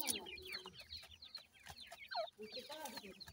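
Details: Grey francolin chicks, locally dakhni teetar, with a pair of adults: high falling peeps in uneven bursts, then one louder down-swooping note and a lower trailing chatter.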